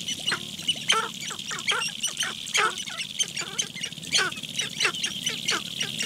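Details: Sharp-tailed grouse on a lek in Nebraska National Forest and Grasslands near Halsey, Nebraska, give a rapid, overlapping series of sharp clucks and downward-sliding cackles, several birds calling at once over a low, pulsing rumble.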